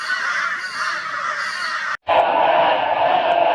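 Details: Flock of crows mobbing a barn owl in Brisbane, Australia, on 22 February 2022: a dense, continuous wall of loud raucous cawing from many birds, broken by a brief silence midway.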